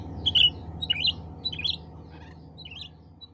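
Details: Cucak ranting bulbul calling other cucak ranting birds: a short burst of rapid twittering chirps that fades out toward the end, with a steady low hum beneath.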